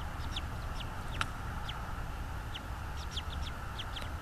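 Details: Afternoon nest-camera sound of a bald eagle in North East Florida, 24 January 2022; thin, high, downward-sliding chirps in uneven clusters, with one sharp click and a continuous low hum beneath.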